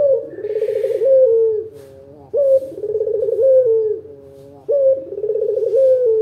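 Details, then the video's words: Local puter dove sounding a lure recording meant to provoke other doves to reply, three full phrases, each a loud clipped note leading into a vibrating, purring coo that falls at the end, around two seconds apart. "Suara terbaru,puter lokal gacor bikin cepet nyaut"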